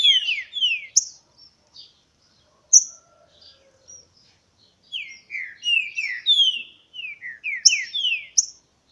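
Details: Green-winged saltator in a singing contest, August 2016: clear whistled notes sliding downward, delivered in quick phrases of several slurred whistles, with a quiet gap mid-sequence before the phrases resume, plus a few thin high chips.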